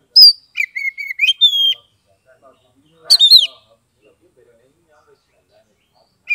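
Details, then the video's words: Oriental magpie-robin, Kebumen, Central Java, singing 'ngeplong': a sharp high note followed by several flat whistles and a long rising slur, then a single fuller phrase after a pause, with quiet afterwards. "SUARA KACER NGEPLONG untuk terapi kacer bisu, malas bunyi, langsung respon dan gacor"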